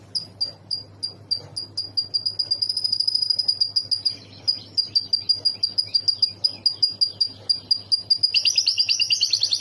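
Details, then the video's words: Canary song played for a lovebird to learn: clear, very high pulsed notes repeated steadily, about three per second, building into a sustained chattering trill, then a burst of louder, varied warbling at the end. "Suara Burung Kenari Isian Lovebird"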